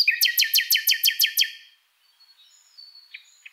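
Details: Song of a common nightingale: eight strong, evenly spaced notes in quick succession lasting a second and a half, followed by near silence with faint high whistles and two soft clicks.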